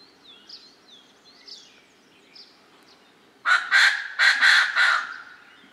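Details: A Koklass pheasant at Manila, Uttarakhand, bursts into a loud, harsh, guttural series of about five rapid notes, preceded by faint, high chirps from small birds.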